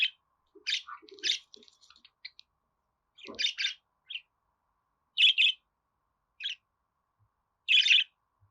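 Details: Budgerigar uttering scattered scratchy chirps and small warbled notes, clustered at first, then spaced out by pauses of a second or more.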